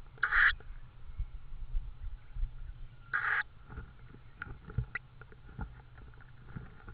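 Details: Tawny owl at the nest with prey in Estonia, 6 May 2013 at 21:04. Two short hoarse, hissing bursts arrive about three seconds apart over faint clicks and low rumble.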